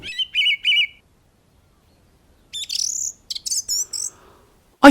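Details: A song thrush sings from the top of a tree in the New Forest, England, in 2021: a clear, fluty note repeated three times in quick succession, then bright, varied whistled phrases. A brief thump ends the clip.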